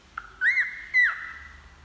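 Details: Pet cockatiel singing: two loud, clear whistled notes that rise and then fall, followed by a long, steady, fainter whistled tone.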